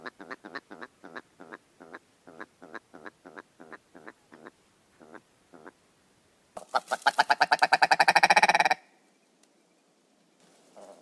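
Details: Willow Ptarmigan giving short nasal clucks spaced evenly for several seconds, then a pause and a loud, fast, accelerating harsh rattle that cuts off abruptly, followed by faint soft notes.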